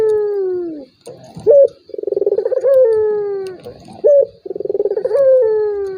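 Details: Lure call of a turtle dove meant to goad a quiet rival into calling: rapid stuttering pulses flowing into a long descending coo, punctuated by short sharp notes, repeated about every three seconds.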